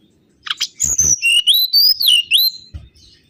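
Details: Mangrove whistler song for luring birds: opening sharp clicks, then one long, loud, wavering whistled phrase that dips and rises through several pitch steps before a low thump at the end.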